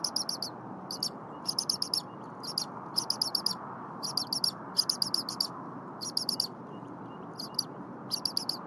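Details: Young bald eagle at the Berry College nest, morning of 23 January 2022, very vocal as its mother returns and prepares frozen leftover prey, though its crop is already full. Sharp high chirps come in quick runs of four to six, separated by short pauses, over a low rushing background.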